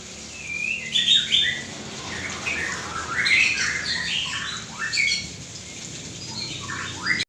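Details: White-rumped shama with a drooping tail singing energetically, with loud fluty whistles, rapid downward slurs and harsh squawky notes in bursts, ending abruptly.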